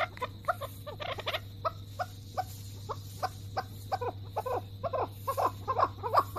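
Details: An angry male chukar partridge (Alectoris chukar) gives an alarm call while pecking the ground: rapid, harsh clucking notes, about three per second, rising and falling in loose bursts over a steady low hum.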